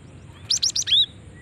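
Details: Lure call from a female cinereous tit to draw in others of its species; a fast run of four buzzy high notes ending in a longer falling whistle.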